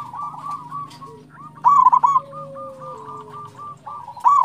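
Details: Local zebra dove in active song, played to prompt other doves to sing: soft continuous cooing, then a loud rapid burst of throaty staccato notes midway and another at the very end.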